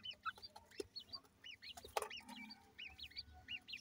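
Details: Grey francolin chicks being fed, giving thin, high chirps that rise and fall, several per second in quick overlapping bursts, with a few sharp clicks and taps around them.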